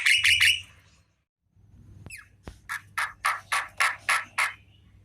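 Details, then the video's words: Javan myna singing in the afternoon: a burst of harsh squawks, a short gap, then a run of about seven loud rasping notes repeated roughly every third of a second over a low hum. "Burung jalak kerbau di sore hari||suara jalak kebo full||"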